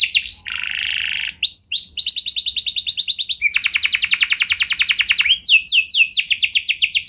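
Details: Canary rolling song to trigger other canaries: a low buzzy tone, then a chain of different rapid trills, some harsh and rattling, others clear and high, changing every second or so.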